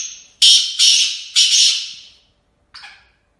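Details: Black francolin, known locally as kala tetar or Sindhi tetar, a kept bird. It gives a short high whistled note, then three loud, harsh, grating bursts in quick succession, ending with a brief rasping note after a pause.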